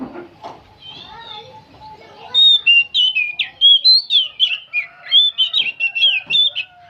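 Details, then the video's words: Singing tirelessly, an old oriental magpie-robin chatters through a fast series of bright, rising and falling whistled notes, about four a second, after a quieter opening. "Kacer tua jiwa muda nyerecet bunyi tanpa henti"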